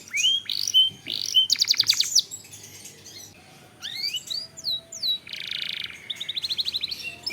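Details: Caged-style canary song used as a lure for other canaries: bright upslurs, a fast rattling trill, quiet gaps, then rising whistles, a low buzzy roll and a closing run of quick chips.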